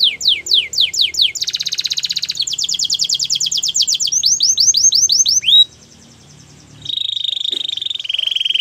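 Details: Canary training song with rapid falling whistles, two fast rattling trills, swooping notes, a short silence, then level whistled notes and a fine high trill.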